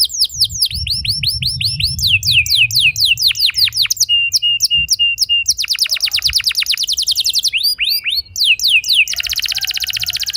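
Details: Canary lure song for juvenile canaries, full of long rolls: dense runs of quick downward-sweeping notes, a short flat whistled series, then alternating rapid trills and buzzy rolls with barely a break.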